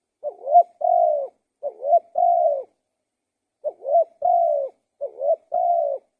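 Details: Spotted dove song: two cooing phrases, a pause of about a second, then two more. Each phrase pairs a quick wavering coo with a drawn-out level one. No other sounds.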